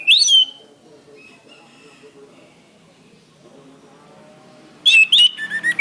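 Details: Orange-headed thrush, master song for training cage birds: a short, loud whistled flourish opens, followed by long near-silence with faint distant notes, then another burst of bright descending whistles.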